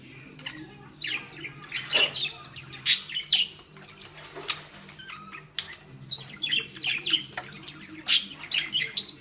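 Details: Budgerigar hen, angry and agitated while trying to rip off a ball tied on a string, chatters nonstop in high scratchy chirps and squeaks, with a brief pause near the middle.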